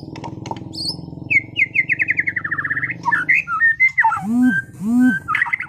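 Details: Caged white-rumped shama, a competition bird from Sragen, singing energetically: a fast series of repeated whistled notes, sliding phrases and two looping downward-upward whistles over a steady low hum.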